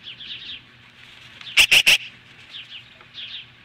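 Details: Montana nest osprey standing off magpies, 10:26 AM, July 15, 2015; soft runs of high chirps frame three loud, harsh, broadband bursts in quick succession at the centre.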